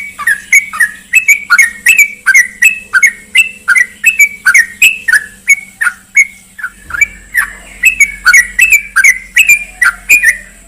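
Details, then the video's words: Sooty-headed bulbul (trucukan) lure recording meant to prompt a silent caged bird to answer. A rapid stream of short liquid chirps, several per second, with a brief pause near the middle, then resuming over a low steady hum. "PANCINGAN TRUCUKAN MACET BUNYI"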